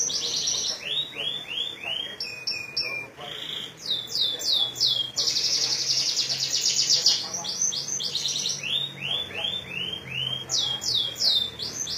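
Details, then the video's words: Canary from Majalengka singing in a style imitating the Sunda whistling thrush: series of rising-then-falling whistled sweeps repeated rapidly, interrupted by dense high buzzy trills and brief clicking bursts, with faint low background hum. "BURUNG KENARI RASA CIBLEK MAJALENGKA"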